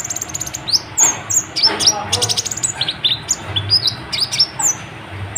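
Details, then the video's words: Sunbird called kolibri ninja, singing nonstop with varied fill-in phrases to provoke other birds: quick sequences of high, sharply slurred whistles and chirps, rising and falling, packed closely together. "KOLIBRI NINJA EMOSI NGGA MAU DIAM , BIKIN BURUNGMU JADI IKUT BUNYI"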